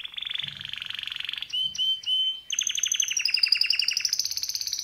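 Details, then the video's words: A male canary sings a steady buzzing roll, then pure whistled notes with short gaps, followed by a fast, bright series of repeated chirps climbing slightly in pitch. "Canary bird singing"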